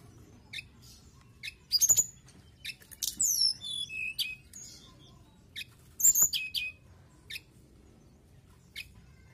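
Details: Mountain tailorbird singing continuously: sharp high chirps followed by a cascade of descending thin whistles, then a second burst of high notes and a few spaced single chirps.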